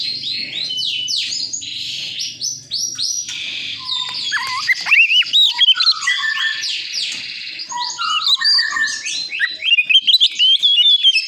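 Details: An old white-breasted Oriental magpie-robin sings a rich, fast medley of clear whistles, rising and falling slurs and scratchy chatter, with a faint low hum in the first few seconds.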